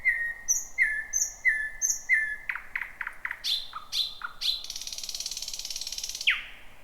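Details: Thrush nightingale singing at night from a bushy thicket, first of 2026: four drawn-out whistled notes, a series of hard clicks, ringing upslurred notes, then a long fast rattle ending in a downward whip.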